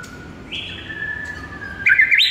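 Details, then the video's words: White-rumped shama singing gacor in the morning, used as masteran to lure shamas: one long steady whistle followed by a sudden bright, twisting burst of notes. "PIKAT MURAI BATU ANDA DENGAN MASTERAN MURAI BATU GACOR PAGI HARI INI"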